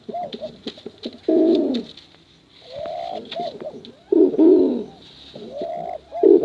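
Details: [1, 'yes', 'coo', 'Male and female pigeons cooing in a long competition-style recording meant for luring young birds: low, throaty rolling coos, repeated in bursts about every one and a half seconds, with softer soft-warbling notes between phrases.']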